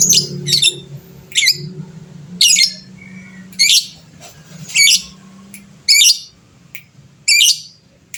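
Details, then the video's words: Gacor fighter lovebird used as a lure to trigger other birds singing: harsh, scratchy high squawks roughly once a second, each a short buzzy burst, with low background hum. "Pancingan EMOSI, suara burung lovebird fighter gacor, cepat bikin lawan bunyi bersautan"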